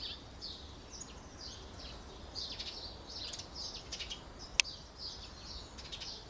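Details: A pair of Short-toed Treecreepers lining their nest box with pine needles and twigs in Aleppo pine woodland near citrus groves, Alzira, Valencia, 24 February 2016: thin, high, slurred notes repeated in loose series, with one sharp click.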